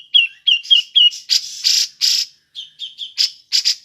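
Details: Grey-cheeked bulbul (cucak jenggot) ngepik call, used to draw in other birds: a few slurred, chirpy notes alternating with loud harsh rasping bursts, then short clipped notes and more rasps.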